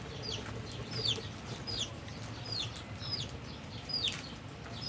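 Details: Albino and Fischer's lovebirds feeding and playing give high, piercing chirps, each sliding quickly downward, repeated roughly every half second to second against a low background hum.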